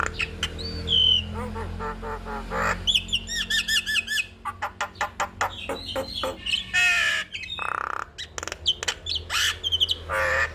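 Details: Extended 'gacor' song of a Javan myna, recorded as a tutor for other mynas: whistled slurs and nasal notes give way to a long series of harsh rasping bursts and rapid clicks, dense and irregular.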